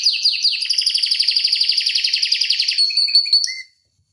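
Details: Canary delivering a single unbroken rapid roll about three seconds long, dense and high, then a few clipped whistled notes before silence; a tutor and stimulus recording for other canaries.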